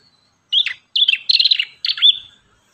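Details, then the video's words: Ashy tailorbird (prenjak kepala merah) gives four quick bursts of high, slightly buzzy chirps and pulsed trills in close succession, then falls silent. No other sound is clear. "MASTERAN BURUNG PRENJAK KEPALA MERAH"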